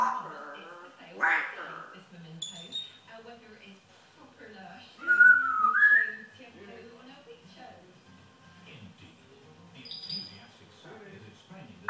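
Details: Talking African grey parrot, known for swearing in a yam yam accent, gives a short rising whistle amid scattered soft voice-like mutterings and clicks, with long quiet gaps between sounds indoors.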